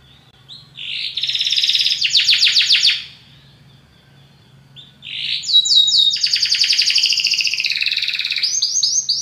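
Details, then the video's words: Belgian canary, a charming and very powerful singer, pouring out two long bursts of song: sweeping whistles running into rapid rolling trills, a short pause, then a sustained trilling phrase with high ringing notes. "belga canário encantador, canto muito poderoso"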